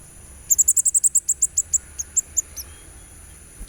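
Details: Sunbird on a therapy recording to prompt singing: a rapid string of about fifteen very high, sharp chips, evenly spaced then gradually slowing, ending with a couple of scattered notes.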